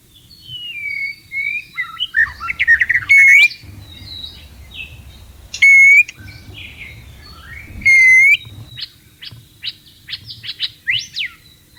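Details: White-rumped shama in breeding condition, wild, singing with whistled phrases and short rising notes; three loud, clipped bursts stand out, separated by quieter chattering passages.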